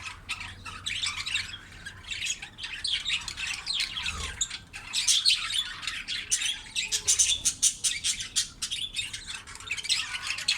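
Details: Budgerigar mother feeding her chicks; the young keep up a loud, scratchy, high squawking chorus, with rapid stuttering pulses growing more intense and rhythmic in the second half, plus a soft low thump near the middle.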